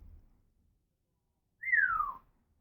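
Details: Female pet African grey parrot making noises: a single clear whistle sliding smoothly downward, lasting about half a second, after a quiet start with faint low rumbling.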